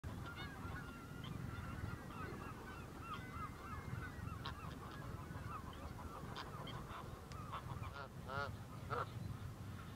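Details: A flock of Canada geese in Strijen, Netherlands, March 2024: overlapping nasal two-note honks, with a steady low rumble of wind or traffic underneath.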